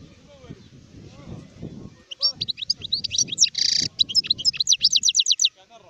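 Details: Adult European goldfinch singing, recorded in 2019: after two seconds of low background murmur, a rapid series of thin, high twittering notes and a buzzy burst, ending in a fast, evenly repeated trill.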